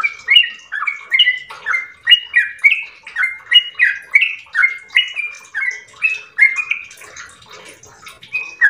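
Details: Yellow-vented bulbul in an extended ropel melody: quick burry and clear whistles in an irregular up-and-down sequence for about six seconds, then softer scattered notes.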